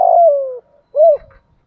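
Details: Spotted dove with a deep 'thổ' lure voice used to train newly caught birds to sing. A sustained coo gliding slowly downward, a short gap, then one brief arched coo.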